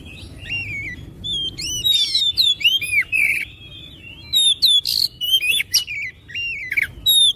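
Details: Oriental magpie-robin singing to coax other magpie-robins into song: a rapid, varied stream of bright whistles, sharp upward and downward slurs and short harsh bursts, delivered in quick bouts with brief pauses.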